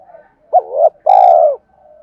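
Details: Spotted dove giving a 'Thúc' style coo, used as a lure to provoke wild doves into cooing: a short, hooked low note followed by a longer, slightly buzzy, drawn-out coo that falls at the end, over a faint background coo.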